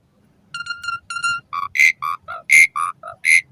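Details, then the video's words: Asian pied starling song for training caged birds, morning and evening. A series of short, nasal, harmonic tooting notes at varying pitches, roughly evenly spaced and growing louder, against faint low background hum. "Suara Kicau Jalak Suren"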